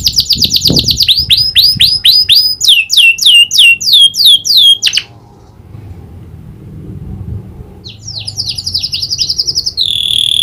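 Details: Canary singing with a prinia-style clicking fill: a rapid string of downward-swept whistled notes for about five seconds, a pause, then dry clicking notes and a high rolled trill.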